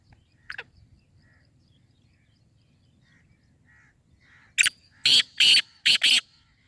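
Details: Black francolin calling: a few soft short notes, then a burst of five loud, harsh, grating notes over about a second and a half, the last four evenly spaced and rasping.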